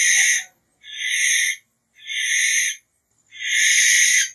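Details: Repeated harsh screams from a barn owl, four hoarse hissing bursts under a second each, separated by brief quiet gaps.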